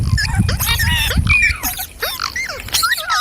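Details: Green parrots, described as talking, with quick slurred whistles and rough squawks from several birds. A rumbling low-frequency noise fills the first second.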